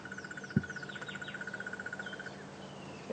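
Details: Crested barbet (Trachyphonus vaillantii) at Djuma Game Reserve on a morning safari drive, 15 February 2015, giving a long, even, rapid trill over two seconds, like a stick in a spinning bicycle wheel; faint chirps of other birds and a thump.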